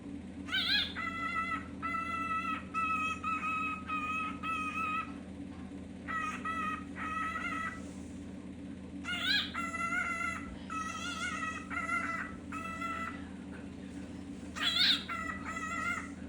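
A cockatiel gives loud, ringing contact calls in repeated bursts, calling for an absent companion.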